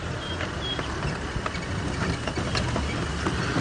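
A steady low vehicle engine rumble fills the recording, with faint tonal beeps and clicks but no clear animal calls.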